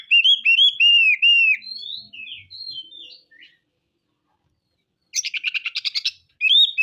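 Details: Oriental magpie-robin (kacer) singing vigorously in the rough-material style, showing off its repertoire: a run of clear, slurred, descending whistles, then scratchy varied notes, a pause, a fast buzzy rattle of about a dozen pulses, then whistling again.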